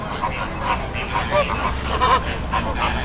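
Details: Greater flamingo flock at a Bagalkot backwater: short nasal honks overlap in a busy chatter, several birds calling close together within a few seconds, with a low background hum.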